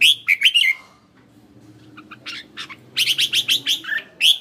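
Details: Red-whiskered bulbul used as a decoy bird, caged in Hanoi, Vietnam: a few loud bright whistled notes, a quiet pause, then a quick series of about seven sharp chirps ending in one clear whistle.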